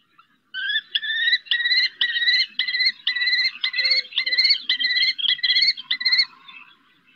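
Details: Female common kestrel calling her eldest chick from a rooftop during its first flights at Riet Vell Nature Reserve, Ebro Delta. A rapid run of about fifteen shrill, slightly rising notes over nearly six seconds.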